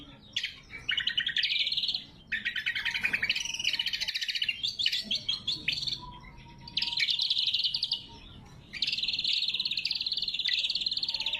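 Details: Lesser green leafbird song used as a lure and training song, loud, sharp and clear: dense buzzy and trilled phrases, several lasting about two seconds, separated by short pauses, with no other sounds.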